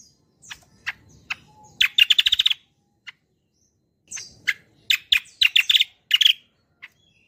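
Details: Kecial kombo song used as a lure for other birds: a few spaced chirps building into rapid, rattling bursts of bright notes, repeated after a short silence.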